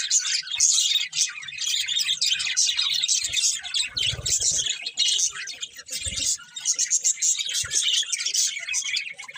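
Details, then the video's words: Budgerigar chatter, continuous high chirps and warbling from several birds, broken by brief low thumps or murmurs around four and six seconds. "Beautiful Budgies Chirping Sounds"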